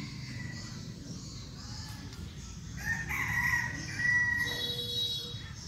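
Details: Young red junglefowl cock, seven months old, used as a decoy, Bình Phước, Vietnam, crowing clearly: a high, strained phrase rising then held, broken into short segments and lasting over two seconds, faint hum beneath.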